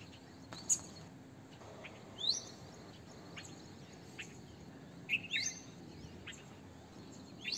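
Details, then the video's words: Red-vented bulbul, the Indian bulbul, giving brief bright rising and falling chirps at irregular intervals over a low constant hum, with a few sharp ticks between the notes. "Red Vented bulbul - Bulbul - Indian Bulbul"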